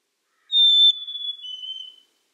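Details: Black-capped chickadee delivering a single pure whistle: a loud steady high note, then a quieter, slightly lower tone held for about half a second.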